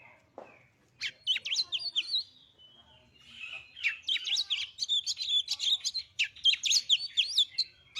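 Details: White-rumped shama song used to provoke other birds into singing: bursts of loud, varied whistles and sharp chirps, rapid and irregular, mostly high-pitched, after a short quiet start.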